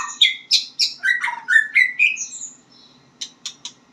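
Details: White-rumped shama learning to sing, giving a quick tumbling series of loud whistled and slurred notes that drop then rise, ending with a few sharp clicks.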